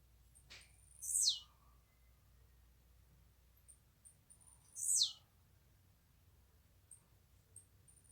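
Blue-black Grassquit giving two quick, sharp, very high buzzy notes that slide downward, about four seconds apart; otherwise quiet apart from a faint low hum.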